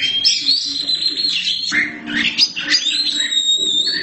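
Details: Oriental magpie-robin, black form, singing a mix of rough, squawky notes and clear whistles, ending in a long, smooth, level whistle.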